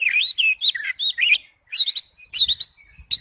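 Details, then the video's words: Oriental magpie-robin (kacer) in ngipas style pouring out quick rising and falling whistled phrases, bright and sweet, then a brief gap and a few more chirpy notes. "Suara burung kacer ngipas thes best plong"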